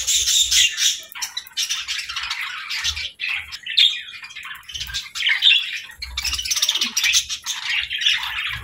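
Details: Happy budgerigars chirping and singing, a lively run of high, scratchy twitters and warbles broken by short pauses, with occasional soft low thuds in the background.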